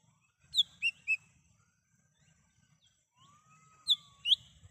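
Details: Wild lesser green leafbird whistling, recorded to lure birds: three quick clear notes, a quiet gap with a soft drawn-out lower whistle, then two more loud rising-falling notes.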